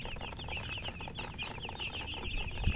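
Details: Chicken chirping alongside a hen: many thin, high peeps overlap into a continuous twittering band, with a low thump at the very end.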